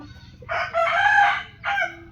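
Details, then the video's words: Rooster crowing in the morning: a short opening note, then a loud, harsh crow held for about a second, and a brief trailing burst after a pause, over a quiet background. "Rooster crowing compilation"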